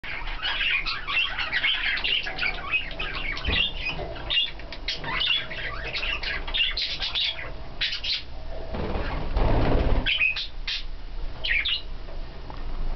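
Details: Budgerigar breeding pair, a recessive pied male and an olive green female, mating, chattering in quick, scratchy chirps and warbles broken by bursts of fluttering wings.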